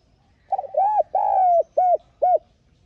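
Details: Decoy spotted dove in calling-and-urging style meant to draw wild doves: a broken double note, a long soft coo sliding slightly down, then two short rounded coos.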